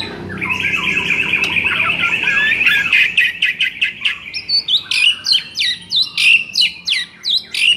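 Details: Training song of a white-rumped shama meant to boost a reluctant singer: a long sustained high whistle with chatter beneath, then a fast series of sharp rhythmic chipping notes repeated several times a second.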